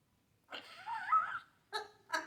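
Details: A captive African grey parrot mimicking household and animal sounds, including dog, cat and horse. A wavering, whining, mewing note lasts about a second, followed by two short sharp calls.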